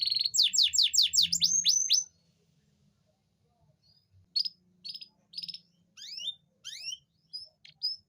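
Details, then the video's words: Canary song played to bring females into breeding condition: a fast trill of high down-slurred notes for two seconds, a pause, then scattered chirps and rising whistled notes. "Suara memancing kenari betina susah kawin"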